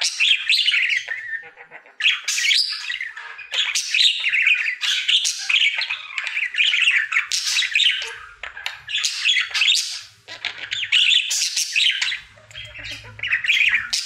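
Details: Male pet budgerigar in his happy daily singing routine: long run of raspy, squawky chatter mixed with chirps and whistled fragments, delivered in bursts separated by short gaps, with faint low room rumble beneath.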